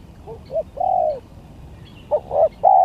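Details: Spotted dove song in a gagap, tindan and klantan contest: a few soft short coos and a long falling coo, a pause, then stuttered notes building to a sustained coo, with faint high chirps behind.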